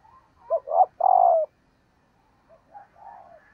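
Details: Coo of a female dove used to rouse males: two quick low hoots lead into a drawn-out falling note, then silence and a few quieter coos.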